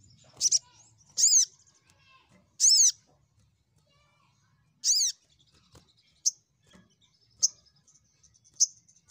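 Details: Crimson sunbird rival-calling lure: several loud buzzy rasping notes in the first five seconds, followed by widely spaced single sharp high ticks.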